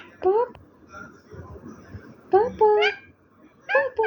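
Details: Parrot talking in a few short bursts: a rising nasal syllable, then a pause with faint background murmur, then two quick word-like sounds with flat and rising tones, and a last pair at the end.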